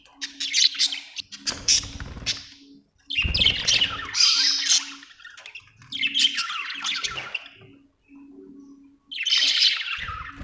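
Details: Budgerigar chirping in four loud bursts of harsh, raspy warbling separated by quieter gaps, with a faint low hum and occasional thumps.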